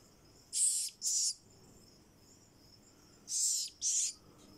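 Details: Kakariki chick kept as a cage bird, calling in two quick pairs of raspy, hissy, very high bursts about three seconds apart, over a quiet low hum.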